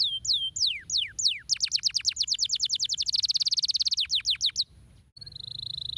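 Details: Singing canary delivering a few downward-sliding whistles, then a long fast trill of rapid repeated notes, a brief pause, and a steady high whistled tone.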